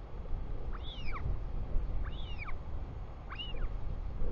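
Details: Royal albatross chick, New Zealand, greeting its father coming home on 24 July 2020 at 4:06 pm: three loud arched whistles that rise sharply and drop away, spaced over a second apart, against heavy wind rumble.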